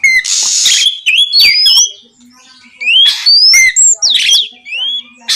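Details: Oriental magpie-robin in full, open-throated song for night-time training, meant to provoke rival magpie-robins to answer. Loud, varied whistled phrases with rising slurred sweeps, quick chirps and harsh bursts follow in rapid succession with short pauses.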